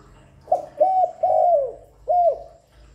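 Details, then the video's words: Spotted dove calling continuously, used to lure and stimulate other doves: a short clipped opening note, then three longer, mellow, hollow coos. Each coo slurs slightly and droops at its end. The background is quiet. "Tiếng Cu Gáy GọI, Cu Thúc, Cu Gù liên tục không tạp âm"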